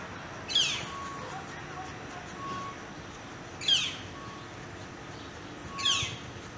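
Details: Northern flicker chicks sparring over food, one chick being mean to his brother after the latter received most of it: three loud, harsh, rasping calls that sweep downward, spaced about three seconds apart, against a steady low background hum.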